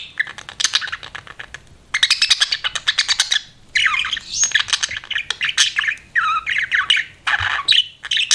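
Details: Budgerigar chirping: dense bursts of rapid, scratchy chatter and squawky notes mixed with short warbled whistles, coming in loud runs broken by brief pauses.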